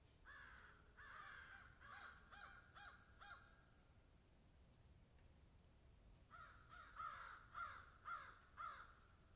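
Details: Crows in a field call in two bursts of repeated raspy caws separated by a pause, with the second run louder and more evenly spaced.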